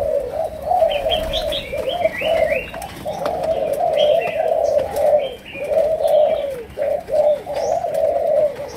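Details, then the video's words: Malaysian spotted dove cooing in 'chiêu gù, sấm đồng' fashion: a steady series of low rounded phrases with short gaps, while other small birds chirp repeatedly at a higher pitch. "Cu Gáy Malaysia, Chiêu Gù. Sấm Đồng"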